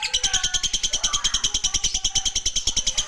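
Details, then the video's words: Long ngekek chattering of a lovebird: very fast, evenly pulsed shrill notes in an unbroken mechanical stream, each pulse high and buzzy, keeping a steady rhythm throughout with no pause. "burung Lovebird, ngekek panjang"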